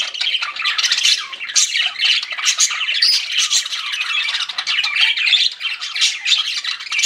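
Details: A group of pet budgerigars chattering nonstop, harsh squawky notes mixed with quick high chirps and warbling phrases.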